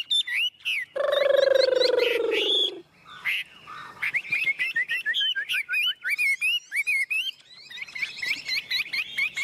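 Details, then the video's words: Tame caged Chinese hwamei in full song, opening with sharp notes and a long harsh buzzy burst, then a fast run of varied warbled whistles, chips and slurs repeated about four times a second. "Chim Họa Mi thuần bóng bộ quá đẹp"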